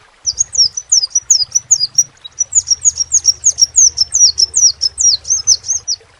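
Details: Crimson sunbird song kept for its distinctive voice: a steady stream of bright, high, downslurred chirps, roughly two to three per second, with a faint low hum in the background.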